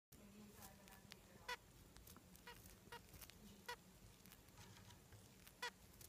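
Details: Zebra finch couple, male and female pair, give short, nasal, trumpet-like beeps every couple of seconds over a soft background hiss.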